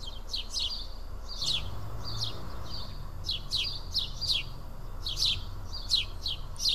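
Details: House sparrows sitting and feeding together at Karyotissa, Greece; short bright chirps come singly and in loose pairs at irregular intervals over a low steady background rumble.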